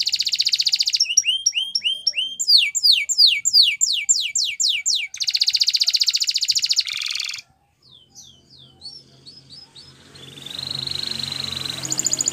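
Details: Spanish Timbrado canary performing training song: dense rattling trills and a series of looping upswept whistles, a pause with scattered chips, then a thin sustained trill building up again.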